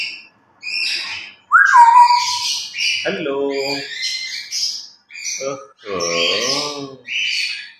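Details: Pet grey parrots, two birds playing noisily during their morning routine, mimicking human words: a clear rising whistle, then buzzy voice-like phrases with stacked harmonics, broken by short chirps and squawks.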